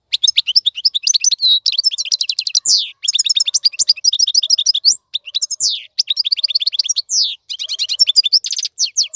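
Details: European goldfinch tutor song (maqnin) meant for young birds to learn: a long, lively, high-pitched twitter of chirps, buzzy rattles and descending slurs, with brief breaks.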